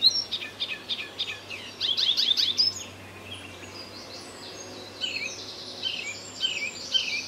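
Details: Icterine warbler singing in a tree line by a small wood on Terschelling, Netherlands, 20 May 2014; bursts of rapid high chirps and buzzy notes, then a quieter spell of softer, repeated twittering.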